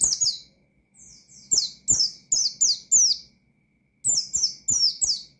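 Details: Shrill, rapid downslurred chirps from an Oriental white-eye, sung in the ngalas style to challenge rivals, starting with a soft pair, then a run of loud piercing notes, then a final cluster of four after a pause.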